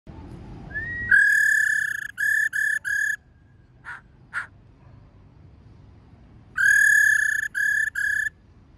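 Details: Female laughingthrush giving its rolling 'rò' call, used to excite wild-caught males: two bursts of long, steady, pure whistled notes, each a held tone followed by two or three shorter ones, with two faint brief notes between and quiet background.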